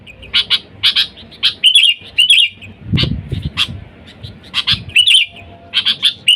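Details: Sooty-headed bulbul in lively voice calling wild birds, played to lure bulbuls: quick runs of sharp chirps with bubbly twittering phrases, and a brief low rumbling thud midway.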